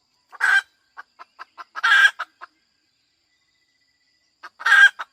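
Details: Hen cackling: a loud raspy squawk, then several quick soft clucks leading into a second harsh drawn-out squawk, a pause, and a third squawk.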